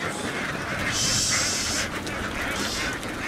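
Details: Laying ducks in a flock in Vietnam, running across a field and boarding a boat; hoarse quacks repeat through steady, loud broadband noise, with a hissing burst in the middle.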